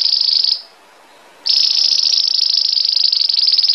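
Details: Belgian canary singing a high rolling trill, pausing briefly, then resuming with a long steady pulsed trill at the same pitch.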